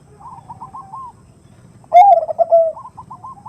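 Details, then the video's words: Hen zebra dove calling her mate with the 'nutut' voice used to lure males: a soft stuttered trill, a pause, then a strong low rolling coo and another quiet trill. "Suara Khas Pancingan Suara Khung Suara Besar"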